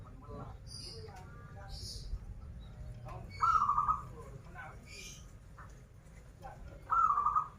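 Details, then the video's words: Zebra dove of local Banten stock, a star singer in the krital and warung kebek styles, delivers two short rolling, trilled coos about three and a half seconds apart while people chat nearby. "Perkutut lokal gacoran suara krital, warung kebek, dan suara aneh"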